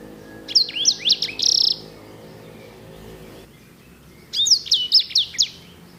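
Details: Kept edel/herda sanger, used as a song model for canaries, delivering a short bright warbled phrase with a buzzy trill, then a long silence before a second rapid run of high notes over faint background hum.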